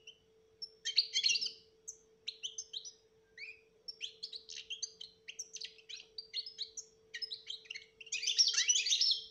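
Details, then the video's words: European goldfinch singing a betbeta-style song with clear whistled notes, used to coax a silent goldfinch into song; rapid, varied twittering phrases with brief pauses, ending in a dense buzzy burst, over a steady low electrical hum. "بتبتة روعة انتى ولمال نتاعها بتبتة وتصفية الكلام حسونك حايخرج من صامتو"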